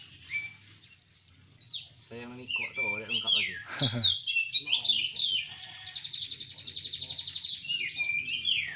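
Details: Oriental magpie-robin at a songbird contest in Semende Perapau: a few high whistles, then a man speaking, followed by a steady run of rapid, high, rattling trills and whistled phrases.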